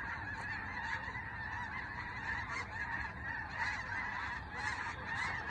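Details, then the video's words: Snow geese overhead in flight. Massed honking calls from many birds rise and fall in loudness, with sharper single honks standing out every second or so over the constant chorus. "Snow geese overhead"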